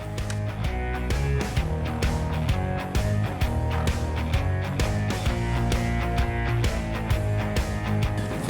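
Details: Strummed guitar rock music with a steady beat and bass, no animal voices.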